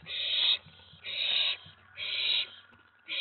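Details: Owlet inside a nest box at night, 19 May 2017, getting excited as another owl arrives at the tray after a mouse delivery: harsh, hissing half-second screeches repeated roughly once a second, four bursts in quick succession.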